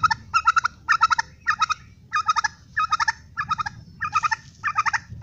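A turkey gobbles in quick, rattling bursts of four to six throaty notes, about ten bursts in five seconds, with a faint low rumble underneath.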